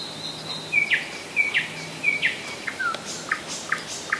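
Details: Nightingale song recorded in July 2011 at Rassudovo, some 40 km from Moscow: a long high whistle, then repeated downslurred whistles that give way to a series of sharp clicking notes about every half second.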